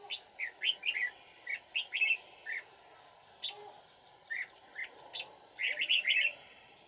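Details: Red-whiskered bulbul during trapping, 31 March 2019: repeated bright, bubbly warbled phrases of two to four notes in irregular clusters, ending in a dense rush of chirps, with background hum.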